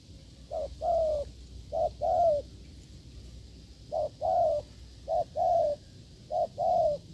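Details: A strong-cooing wild spotted dove answers during a failed decoy trial, 'gù lợi cốt' style. Five two-part phrases, a brief low note then a drawn-out mellow coo, come in two bursts separated by a short pause.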